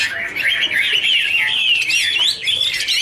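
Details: Chinese hwamei singing a wonderful warble while dancing in a duet with fanned wings; a continuous run of loud, fast, sliding whistled notes that weave up and down without pause for three seconds.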